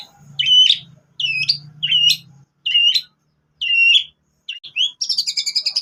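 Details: White-rumped shama singing with canary phrases, used as a lure to prompt other shamas: clear whistled phrases with upward flicks, spaced about a second apart, ending in a fast buzzy trill, with a faint low hum underneath.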